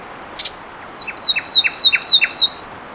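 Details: Fulvous wren song: a couple of sharp high chips, then a steady run of five paired notes, high clear whistle and lower downslur, over about a second and a half with background hiss.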